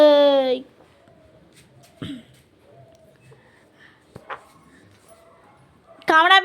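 A pet parrot voices loud, speech-like words at the start and end, with quiet room sounds between.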